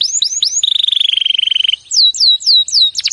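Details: Canary master song for prompting a canary that has stopped singing: rising whistled sweeps, a fast rattling trill, then descending whistled slurs and a brisk chatter.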